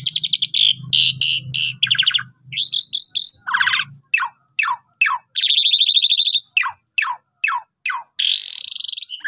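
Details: Asian pied starling singing a long, non-stop lure song used to train newly bought birds: harsh buzzy bursts, stacked rasping notes and a run of sharp descending chirps, with a faint low hum early on.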